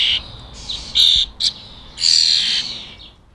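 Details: Wild European starling fledglings at a UK garden bird table: a few short, harsh, buzzy rasps, then a longer drawn-out screechy rasp that fades away.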